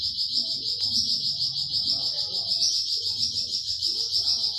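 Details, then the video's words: 'Tembakan' song of a flamboyan bird, kept as masteran tutoring for pet songbirds like cucak ijo and murai batu: an unbroken piercing high trill with rapid even pulsing throughout, over a soft low rumble. "Tembakan Burung flamboyan"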